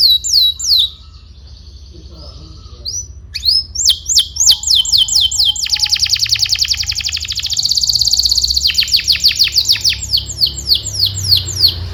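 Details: Canary song used to teach young canaries: a few sharp downslurred notes, a short pause, then long rapid trills that shift speed, including a dense buzzy roll, before clipped repeated notes resume.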